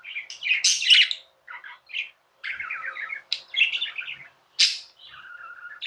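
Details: Pet budgerigars chirping and warbling: a loud buzzy burst, a few short chirps, a stuttering chatter, then sharp squeaks and a soft trill.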